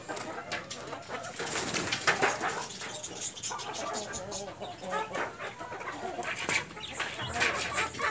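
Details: White Leghorn hens and a rooster clucking, short harsh broadband calls in irregular bursts among a noisy farmyard background.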